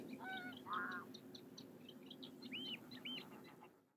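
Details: Common terns (Sterna h. hirundo) at a colony in Doel, Belgium, July 2021: several harsh, grating calls overlap, some arched and falling, with a constant colony hubbub and a rushing background.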